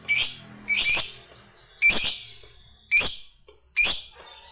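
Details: Lovebird fighter 'ngetik' calls, used as a lure for other lovebirds: five harsh, scratchy, high chirps, each lasting a fraction of a second, arriving roughly once a second with quiet gaps between them.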